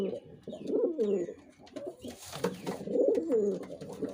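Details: Male pigeon giving low burbling coos in two bouts, with a brief stretch of human speech and rustling between them and faint high chirps behind.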